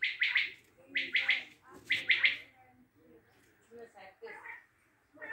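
Common quail giving sharp, liquid three-note phrases, 'wet-my-lips', repeated about once a second; a person talks quietly between phrases.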